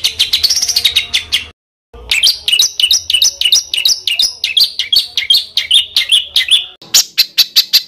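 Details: Songbird master recording used to train competition birds: a fast run of sharp high chirps and rising whistled notes, briefly cut to silence, then resuming in quick repeated phrases.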